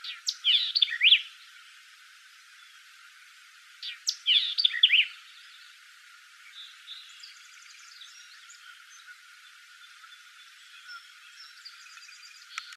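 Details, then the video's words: White-eyed vireo singing in Bruce County, Ontario, Canada, on June 17th 2018: two quick, sharp phrases of chipped and slurred notes about three seconds apart, followed by fainter high twittering from other birds. "White eyed Vireo"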